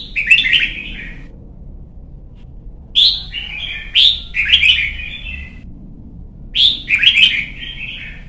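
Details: Red-whiskered bulbul, young caged bird being trained to sing for competitions, delivering three loud bright warbled phrases, each opening with a sharp chirp, separated by pauses.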